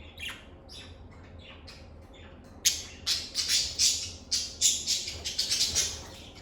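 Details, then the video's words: Lovebirds giving cheerful chirps in a calm setting: a few soft, scattered notes at first, then a fast, steady series of loud, shrill squawking chirps, roughly ten in three seconds. "Lovebird Singing & Chirping Sounds"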